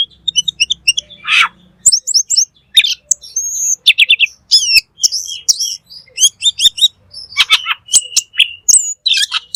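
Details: Black magpie (cucak keling) singing in full 'gacor' style for tutoring birds: a busy, varied stream of high chattering notes, sharp clicks and thin whistles, run together almost without pause.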